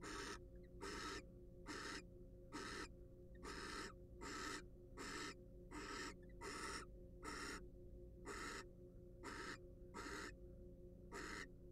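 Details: About fourteen rough, airy screeches from a wild barn owl at a monitored nest box, delivered in a loose run of bursts under a second apart, with a faint steady mechanical hum throughout.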